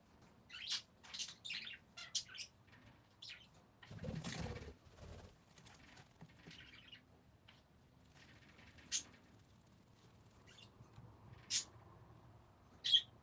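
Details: Parakeets producing short chirps and squeaky twitters, then a loud flapping or scratching burst, followed by sparse single sharp calls.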